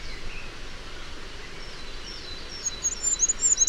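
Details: A male Firecrest on a new territory in Gwent gives very high, thin, needle-like notes in a quick burst near the end, over a steady outdoor hiss. Its own song is cut off, and it breaks into bursts of Goldcrest song.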